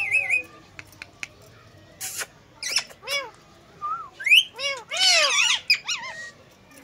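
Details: Talking Indian green ringneck parakeet sitting on a cradle, imitating a cat's meow and words: a run of curved, rising-then-falling meow-like notes mixed with short whistles and harsh squawky bursts, in a quiet indoor setting.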